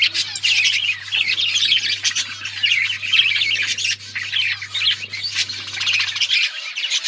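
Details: Chirping budgerigars in a recording dated October 31, 2023: continuous loud twittering and warbled squeaks from many birds, thick and unbroken throughout, with a faint low hum that stops near the end.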